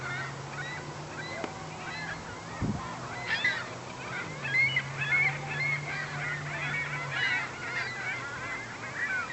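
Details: A flock of well over a hundred herring gulls at a neighbourhood lake calls at once: overlapping harsh, mid-pitched squeals and yelps in a busy chorus, over a low steady hum.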